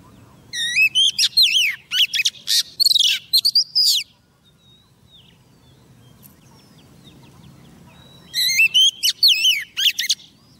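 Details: Female Oriental magpie-robin used as a trapping decoy, calling to a male with two loud bursts of varied looping whistles and sharp notes, separated by several seconds of near silence with faint chirps.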